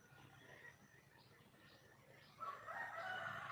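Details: Female red junglefowl in the wild, calling to attract a mate. After quiet background chirps, a loud, raspy, drawn-out call bursts in at about two and a half seconds and carries to the end.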